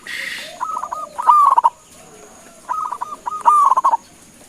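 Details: Calling local zebra dove aiming to draw answers from other birds: a short rustling noise at the start, then two bubbly phrases of spaced coos ending in a rapid descending trill, over a faint high whine.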